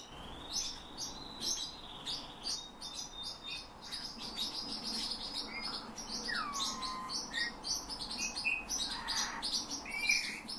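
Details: A hand-trained Eurasian bullfinch sings phrases copied from its trainer's whistling plus nightingale and thrush phrases: a soft, low, descending fluted whistle amid a steady stream of rapid high twittering and chirps.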